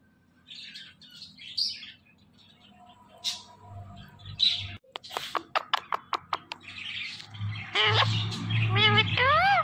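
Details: Talking parrot giving scattered chirps, a fast series of sharp clicks, then a string of wavering, rising-and-falling harmonic calls in voice-like phrases.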